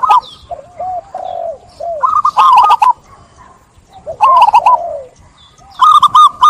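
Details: Local zebra dove in lively song, inviting others to sing along: repeated phrases of soft rippling coos and lower slurred purring notes, with rapid clicking sounds between phrases.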